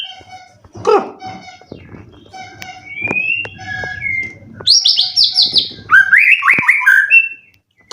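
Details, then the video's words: Caged contest white-rumped shama in Indonesia, mostly soft thin notes and clicks at first, then a loud high rapid trill followed by a swooping whistled phrase near the end. "Burung Murai prestasian udh kondisi 90% materi full clilin siap turun Lg!"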